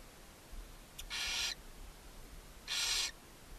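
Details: In a Hungarian nest box at Ságvár, a barn owl mother feeds her seven owlets on May 4, 2024. Two drawn-out, breathy rasping hisses, about one and a half seconds apart, preceded by a faint click.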